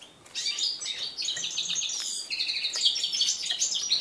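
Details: Mule hybrid of red-breasted flycatcher and canary, bred in 2013, singing for the first time since its moult in January 2014; a continuous, dense warble of high twittering notes and trills running throughout.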